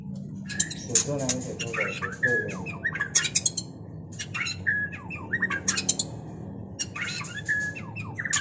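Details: White-rumped shama mating, a busy stream of harsh squawks, chattering bursts and short whistles with hardly a pause, over a steady low hum.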